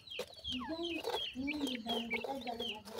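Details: Grey francolin chicks fed homemade food and termites: clear descending whistled peeps repeated by several chicks over a steady low drone.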